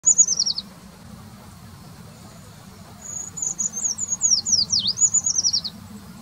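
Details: Eurasian treecreeper singing in February; a brief high thin descending trill opens, then after a pause a longer very high song of thin notes, a sharp dip and a falling trill at the end; faint low hum beneath.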